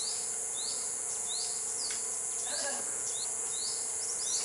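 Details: In Khao Sok, Thailand, a Bar-winged Flycatcher-shrike (Hemipus picatus) gives thin, high, upslurred notes about every half second over a steady insect drone.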